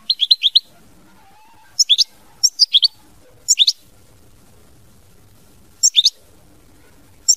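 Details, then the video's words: Mama binette style song of a European goldfinch, with rapid, high, tinkling note clusters in brief bursts, some rising and falling, separated by pauses of half a second to two seconds; faint low rumble beneath. "Chant Chardonneret mama binette"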